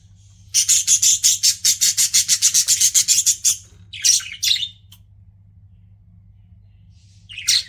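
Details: Pet budgerigars chirping: a fast, regular run of bright, high buzzy chirps for about three seconds, then a few scratchy warbled notes and a final squeak, with a faint low hum behind.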